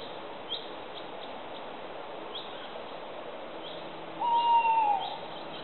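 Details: Tawny owl giving a single smooth hoot of under a second that drops slightly at the end. It follows four seconds of quiet outdoor background with a few faint high chirps.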